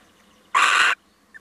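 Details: One harsh, noisy screech of about 0.4 seconds from a male little owl paying a visit, followed by a brief faint higher note.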